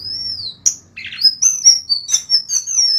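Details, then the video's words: Clean golden-bellied gerygone song meant for tutoring other songbirds: pure, high, wavering whistles that drift down and rise again, strung together almost without a break, with a few sharp clicks between. "BURUNG SRIKATAN KERONGKONGAN MP3 jernih"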